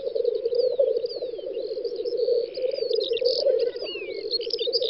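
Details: Black grouse at a spring field lek in western Russia, 9-10 May 2019, produce a deep, continuous bubbling murmur, with soft scattered whistles and chirps of other birds in the distance.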